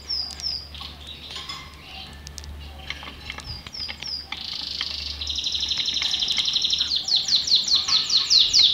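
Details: Song of a Belgian canary: scattered high chirps give way to a sustained buzzy trill that grows louder and ends in rapid, evenly repeated sweeping notes.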